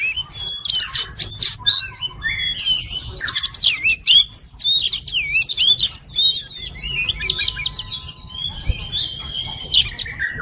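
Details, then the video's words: Kacer (oriental magpie-robin) singing in fighter style: a continuous rich medley of twisting whistles, sharp chirps and trills, with brief steady tones near the end. "MASTERAN KACER JADI FIGHTER"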